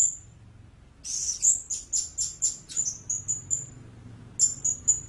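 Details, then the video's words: Blue-crowned hanging parrot giving a harsh burst followed by evenly spaced high, piercing squeaks that fade, then three more sharp notes; faint low background hum. "เสียงนกหกเล็กปากดำ Blue-Crowned Hanging Parrot Sound"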